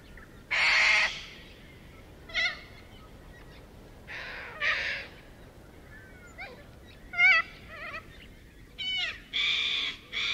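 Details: Little corellas among a massive suburban Melbourne flock, foraging on ground and trees. Scattered harsh screeches mix with shorter wavering, squeaky notes from several birds, separated by quieter gaps.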